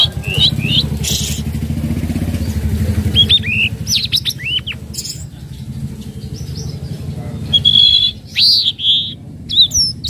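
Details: Lure calls of a spotted flowerpecker (tledekan laut) for training young birds: scattered high sharp chips and short down-slurred whistles, ending with clearer whistled notes, over a low rumbling hum.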